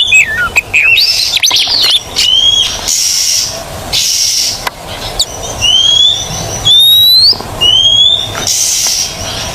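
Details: Oriental magpie-robin in a recording to make silent birds sing: sharp, descending slurred notes first, then a series of long rising whistles spaced about a second apart, with intermittent hissing noise.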